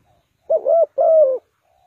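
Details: Spotted dove kept as a bird-trapping decoy, Ninh Thuận: a single low coo-croo, a brief first note then a longer, slightly falling rolling second note, otherwise quiet.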